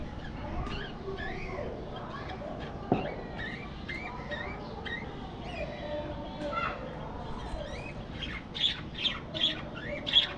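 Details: Budgerigars in an aviary chatter in a long warbling stream of quick whistled slurs and rising notes, ending with several loud sharp chirps spaced about half a second apart; faint background hum throughout.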